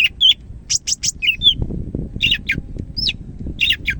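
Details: Medan-type greater green leafbird in active song: clear whistled slurs and hooked notes alternating with sharp chirps in lively clusters, over some low background rustling.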